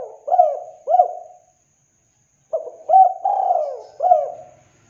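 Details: Spotted dove song, meant to attract other doves: throaty, mellow coos in short rhythmic phrases ending in a longer drawn-out note, two phrases separated by a brief silence, recorded clean.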